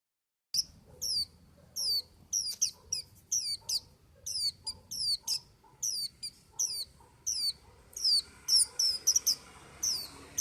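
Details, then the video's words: White-eye singing a long run of very high, thin notes that slide downward. They come in quick bursts, getting denser and more jumbled toward the end, over faint low background noise. "Tiếng chim vành khuyên hót"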